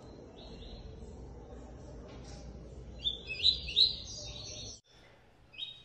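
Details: A captive Double-collared Seedeater of the tui-tui song type, kept by a breeder, gives bright, high chirping notes in quick bursts of three or four before pausing, over a low background hum.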